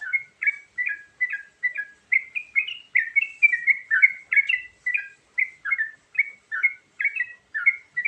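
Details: Lure song with varied fill-ins from a sooty-headed bulbul: a continuous chain of crisp, two-toned chirps, bouncing up and down in pitch at a brisk, even pace.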